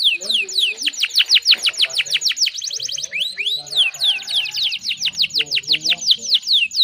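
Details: Canary song used as a lure to stimulate other canaries to sing quickly: fast repeated downward-sweeping whistled notes, high and bright, in rapid trilled series with brief changes of phrase; faint low murmurs beneath.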